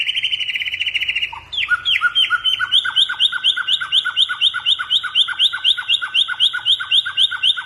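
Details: Lively white-rumped shama song meant to prompt other birds to sing: an opening fast buzzy trill, then a long even series of sharp downslurred two-part notes repeated several times per second.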